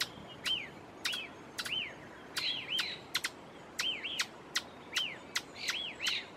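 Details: An Ochre-flanked Tapaculo (Eugralla paradoxa) in Pumalín Park, Los Lagos Region, Chile, sings a steady run of sharp clicks, each paired with a short high arched note, about twice a second over faint hiss.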